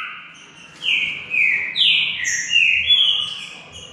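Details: Green-winged saltator singing against a rival in a song contest, delivering a rapid run of six loud, rich whistles, each sliding down in pitch, with some notes overlapping, over a quiet background.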